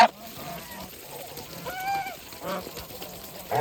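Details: Geese on a farm call while feeding: scattered nasal honks with stacked harmonics, a clearer drawn-out honk at about two seconds, then a loud burst at the close, over low rustling background noise.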